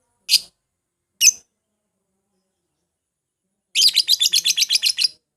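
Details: Lovebird sounds played to provoke a rival into answering and singing: two separate sharp high chirps, a pause of over two seconds, then a rapid chattering burst of about eleven clipped chirps.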